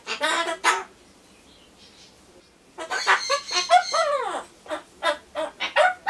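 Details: Caged pet Ducorps's cockatoo talking to itself before a pumpkin treat, mixing imitated rooster crowing into its chatter: two raspy calls, a pause, then a run of loud wavering, descending crow-like notes and clipped squawks.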